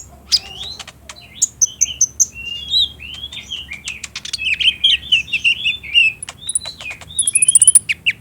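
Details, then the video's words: Speckled 'trotol' olive-backed sunbird singing, used as a daytime lure for captive sunbirds. High twittering phrases of sliding whistles and sharp ticks come in an irregular flowing stream. "PALING JITU BIKIN KOLIBRI NINJA IJOAN CEPAT NYAUT | PANCINGAN KONIN TROTOL AGAR BUNYI DAN GACOR"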